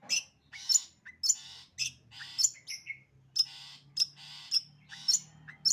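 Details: Long-tailed shrike delivering 'sembur' song: quick sequence of piercing chips and grating buzzes, about two notes a second, with brief descending slurred notes midway and a steady low hum behind.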